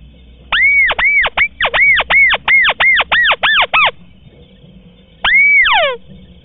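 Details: Unedited white-browed crake call used to lure the birds in swamps and rice fields: a rapid run of about a dozen clipped, arched whistled notes, a pause, then one longer whistle ending in a tumbling descending cascade, with a steady high hum behind.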